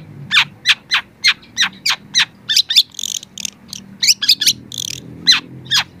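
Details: Young long-tailed shrike singing as a training recording: fast series of harsh downward-sweeping notes, several per second, broken by buzzy, noisy phrases mid-sequence.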